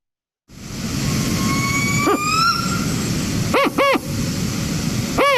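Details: Northern spotted owl 4-note call, described as a rare call, played back; fewer than 10 remain in the wild, needing old growth forest. Rising thin whistles, then separate deep arched hoots, over a steady broad rumbling background noise.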